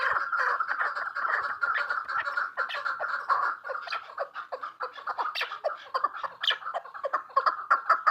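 Chukar partridges chattering in a dense, rapid run of harsh clucking notes that overlap continuously, as if several birds are calling together.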